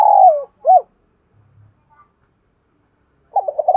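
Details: Spotted dove lure cooing to goad wild males into replying, đồng pha thổ style: a falling coo and a short arched note, a long pause, then a rapid stuttering burst of coos.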